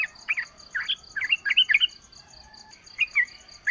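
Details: Yellow-vented bulbul in natural surroundings, played as a lure to make other bulbuls reply: quieter clusters of liquid, twisting notes separated by short gaps, set against a constant high pulsing insect buzz.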